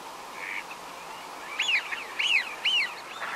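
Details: Eurasian wigeon at Uitkerkse Polder, Belgium, in January 2017, giving three clear whistled 'wheeoo' calls, each rising then dropping, about half a second apart, over a soft background hiss.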